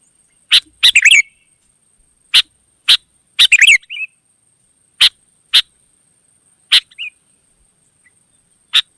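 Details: Wild sooty-headed bulbul answering: clipped single chirps spaced about every second or two, broken by two short gurgling flurries, over a faint constant high tone.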